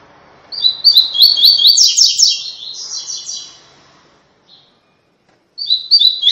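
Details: Rusty-collared seedeater "tui tui" song used to train other birds: a quick run of high, slurred, buzzy notes that fades into a thin trill, then a brief pause before the next phrase begins.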